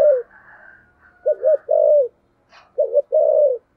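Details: Spotted dove cooing in the deep 'thunder voice' manner, low two-part notes each followed by a sustained coo, a brief sharp click between phrases and soft higher cooing behind.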